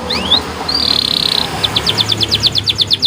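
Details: White canary training song with special phrasing, heard through background hiss: rising whistles, a flat buzzy note, then a quick rhythmic run of short chirps, about eight per second.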